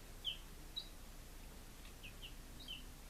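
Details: Young chicks at five days old, Lunenburg, Massachusetts, 2017: a few sparse, high, falling peeps about half a second apart over a low background hum.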